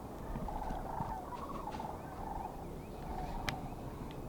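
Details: A flock of sandhill cranes, just returned and flying in over a pond in Alaska at spring breakup, gives distant, rolling, rattled bugling calls overlapping roughly every half second, over a steady low wind rumble; their arrival is heard as a sign of spring.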